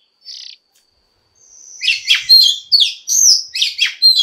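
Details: Oriental magpie-robin, described as a female stimulating males to sing: a single short high note, a pause, then a rapid run of varied whistled and buzzy phrases with sliding, warbling notes.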